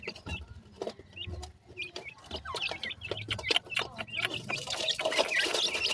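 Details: Grey francolin chicks peeping rapidly, short high notes tumbling over one another, with clicking sounds and a rising hiss of noise toward the end.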